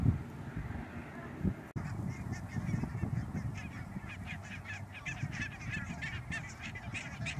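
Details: Barnacle geese, Schouwen-Duiveland and Goeree-Overflakkee, Netherlands, 16 March 2009: after a short break, a busy chatter of high yapping honks from a large flock builds over heavy low-pitched wind rumble.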